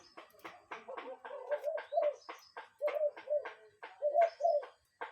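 A cuckoo gives low, hollow two-note calls in pairs about a second apart, over a busy background of sharp chips and chatter from other birds.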